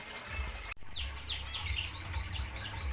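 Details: In a roomy aviary styled like nature, zebra finches give quick high nasal notes, each sweeping downward and repeated several times a second, above a constant low rumble.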